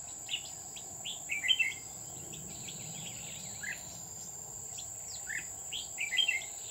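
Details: Red-whiskered bulbul heard while trapping at Núi An Phú, Chùa Hương, on 20 October 2019. Bright chattering whistles are clustered near the start and end with scattered single notes between, set against a continuous shrill insect tone.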